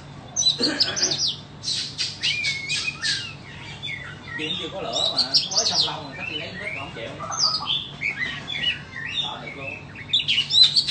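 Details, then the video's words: White-rumped shama offered for sale, singing a dense jumble of high whistles, chirps and rapid chattering notes without pause, some sweeping up and down, over a faint low hum. "Chích choè than bông"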